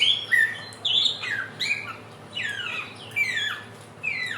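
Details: Bird of 1001 voices, the Helmeted friarbird of West and East Nusa Tenggara, giving a trotolan lure song of clear downslurred whistled and squawky phrases, several notes per second with short pauses.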